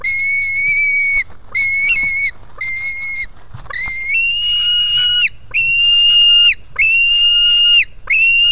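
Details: Hungry White-tailed Eagle chick begging at the nest as it jumps to its mother: a run of eight drawn-out whistled squeals, the first three higher, later ones slightly lower and longer, separated by brief pauses.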